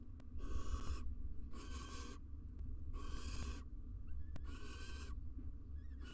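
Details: Wild female barn owl incubating six eggs in a nest box in Israel beside her mate, from a live nest cam: four harsh, breathy hissing bursts, each under a second and spaced about a second apart, over steady low hum.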